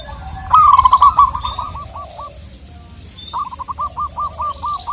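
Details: Zebra dove of the local wild type, calling to provoke a rival, gives a quick run of clipped rolling coo notes that fade out, then after a pause starts a second steady series of about four notes a second.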